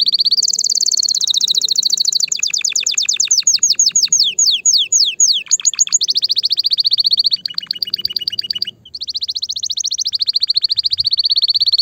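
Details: Loud, excited canary song meant to ready females for mating and nest building: a sustained high rolling trill, then downward-sweeping notes, a lower rattling trill, a short pause and another long even trill.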